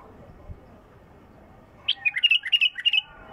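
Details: Bulbul song with a pure, clear voice: a quiet start, then a quick burst of about a dozen bright, sweet whistled notes in a lively, uneven rhythm lasting about a second.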